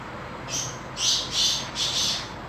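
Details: Black francolin, kala titar, held in a decorated cage, giving a series of four hoarse, grating notes in an uneven rhythm over constant background hiss.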